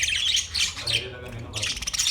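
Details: Caged budgerigars chirping in a large cage, bursts of dense, scratchy high chirps and warbles, with a short quieter gap in the middle.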